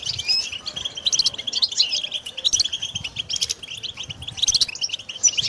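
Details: European goldfinches chattering together in mating and readiness calls aimed at breaking a caged male's silence: rapid bright tweets and tinkling trills overlap, with brief louder bursts now and then.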